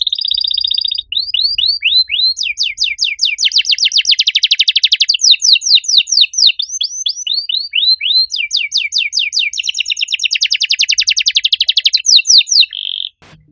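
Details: Canary with a loud, unusually ornamented cengkok song: a buzzy opening tone, then long runs of rapid sweeping notes that merge into dense rolling trills, ending with a steady whistled note.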